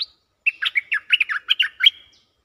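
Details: Caged stripe-throated bulbul singing as a lure call: one bubbly, warbled phrase of about eight quick, liquid notes jumping up and down, lasting under two seconds after a brief opening note, with a quiet background.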